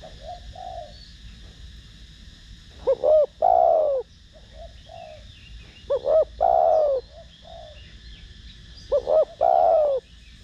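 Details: Spotted dove cooing in the 'thổ đồng' voice style, used to stimulate decoy doves: three phrases about three seconds apart, each a quick double note then a long falling coo, with soft low murmurs between and faint distant chirps.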